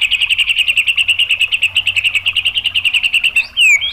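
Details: A murai batu, the white-rumped shama, gives a provoking lure song of 'tembakan' rapid-fire notes. A fast, even rattle of about thirty high ticking notes fills the whole stretch, then a loud downward-sliding whistle closes it.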